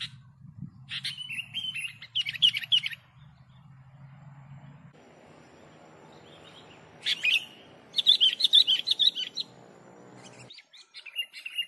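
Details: Sooty-headed bulbul singing for bird luring: two bursts of bubbly, warbling phrases with quick chirped notes, separated by a long stretch of low humming and murmuring noise.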